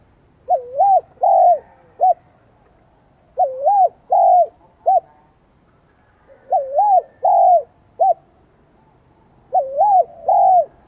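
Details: Spotted dove song in the high-pitched 'giọng son' style, Vietnam. Phrases of two wavering coos, a longer arched coo and a short clipped note recur about every three seconds. The background is quiet.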